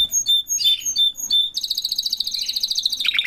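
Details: Singing canaries, parents together with their chick: clear short whistles and chirps, then a long, even, fast rolling trill that closes with a lower rapid flourish.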